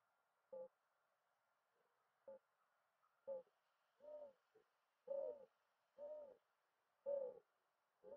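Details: Mourning dove cooing: low, hollow, soft notes, some swelling and dipping in pitch, given in an uneven series of about eight over several seconds against a quiet background.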